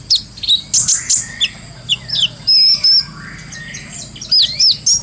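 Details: Brown-throated sunbird in lively, clear ngobra singing, recorded as a training lure for songbirds. It gives irregular high sharp chirps and a thin, wavering whistled phrase, with short gaps between notes.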